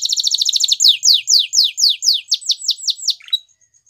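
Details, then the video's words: Waterslager canary performing a fast high trill that slows into evenly spaced falling whistles, about four per second, closing with a short tone before silence. "Canary Waterslager Singing"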